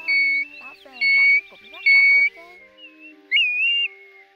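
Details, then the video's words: Pacific golden plover lure sound for night net trapping of migrants, August 2024: three even, level whistles about a second apart, then a rising, wavering whistle, above a faint steady low tone. "Tiếng Chim TU HUÝT , Chim Choi Choi Vàng Lông Cườm"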